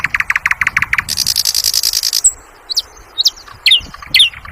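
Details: Sikatan londo flycatcher song opening with a fast series of evenly spaced clipped notes, then a high buzzy trill lasting about a second, followed by scattered thin whistles and sharp chirps.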